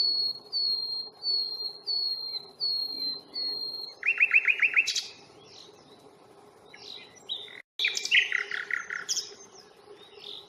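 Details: Common nightingale singing at Fingringhoe reserve on 1 May during a two-hour stroll, recorded on a Panasonic Lumix FZ82: repeated high whistled notes, then a fast rattling series of about eight notes, followed by scattered chirps over a steady low hum.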